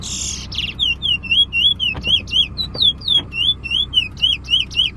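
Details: Bullfinch singing during a bird competition on the way to Preysal: a harsh buzzy opening, then a long, steady run of downslurred whistled notes repeated about twice a second, with faint overlapping higher chirps.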